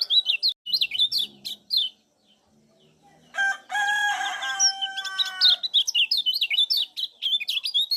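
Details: Kecial kuning, the lemon-bellied white-eye of Lombok, in full lively song meant to stimulate other birds: quick, high, jittery chirps in bursts, interrupted midway by a loud, harmonic, rooster-like call before the twittering resumes.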